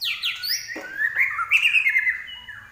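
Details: Common iora, an Indonesian cage bird in full song: high descending whistles, then a long, wavering, steady whistled phrase broken by short trills.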